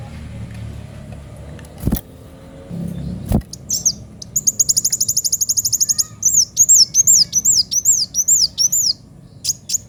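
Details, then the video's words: Kolibri wulung sunbird in lively 'gacor' form with a sharp 'pedes' voice: after two loud knocks and low rumble, a rapid high buzzy trill, then a run of high, thin, arched whistled notes repeated quickly. "Kolibri wulung gacor suara pedes"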